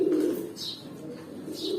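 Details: Pigeons at eight to nine months, newly adult, give a deep cooing burst at the start and another at the end. Thin high squeaks break in twice between them, and the space sounds enclosed.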